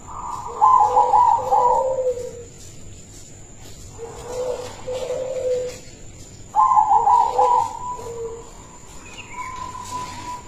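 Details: Silver-coloured local zebra dove, a rare colour form noted for a loud, sweet voice used to lure other doves, sings three cooing phrases, each a rapid trill of soft notes easing into lower coos, with a faint high steady whine behind.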